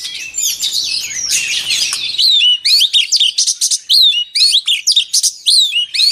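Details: Loud white-rumped shama song for voice training: a dense tangle of whistles and chatter, then a series of short, crisp whistled phrases, each sharply clipped and spaced about half a second apart.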